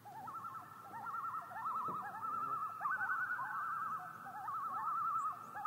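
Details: Common loons in chorus, several wavering, trembling laugh-like calls overlapping at slightly different pitches, sustained throughout with rapid rippling modulation and little other sound.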